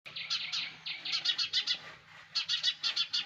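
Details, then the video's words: Sparrow chicks in the nest give rapid bursts of high, scratchy chirps in quick trains of three to six notes, with brief pauses between the bursts. "Sparrows baby in nest! | Sparrows Sound Effect"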